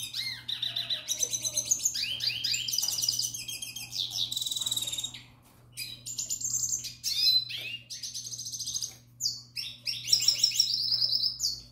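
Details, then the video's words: Captive young canary performing courtship song toward a female: long varied sequence of rattles, buzzy trills and sharp whistles, with short silent breaks between phrases and a steady low hum behind. "tarim cantando para fêmea, filhote temporada 2021"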